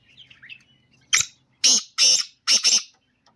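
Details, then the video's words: Call of a black francolin: a few faint squeaky notes, then a sharp grating sequence of four rough, noisy bursts with short gaps between them. "Kala Teetar ki awaz"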